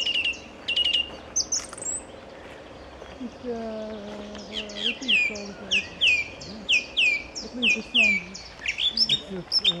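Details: Song thrush at Bärenwald Müritz sings bright, varied phrases, opening with quick repeated notes, then a run of about eight sharp down-slurred whistles; a low voice murmurs faintly beneath.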